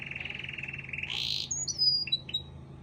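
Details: Canary song meant for training or provoking other canaries, soft and somewhat distant: a low pulsed rattle, a noisy burst, then thin high whistles and a few short chips.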